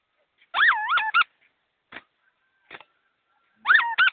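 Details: Captive laughingthrush singing fast and clearly: two loud whistled phrases with swooping, wavy notes that rise and fall, separated by a few faint short clicks and a quiet gap of nearly three seconds.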